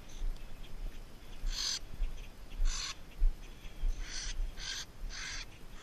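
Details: A female falconry kestrel, possibly an American kestrel, gives five short, harsh, high calls, mostly spaced under a second apart, over a steady low rumble of wind or handling noise.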